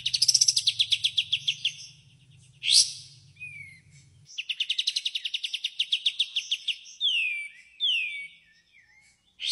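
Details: White-shouldered triller singing 'tembakan' phrases: a fast rattling series of sharp repeated notes, a brief harsh burst, another long rapid rattle, then sweeping downslurred whistles, with low humming early on.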